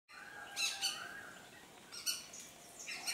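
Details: A greater racket-tailed drongo, mimicking the calls of Shikra, rose-ringed parakeet and treepie, gives three harsh, shrill bursts about a second apart over a faint steady whistled tone.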